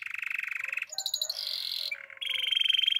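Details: Russian canary song in canary-training style: fast rattling trills around mid-high pitch, switching abruptly between tours—a buzzy low trill, a rapid high pulsed phrase, a steady whistled tone, then another quick rolling trill.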